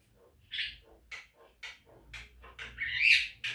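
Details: Javan myna song used as a training recording to make caged birds sing: spaced harsh squawks and short chattering notes, ending in a louder rising whistled phrase.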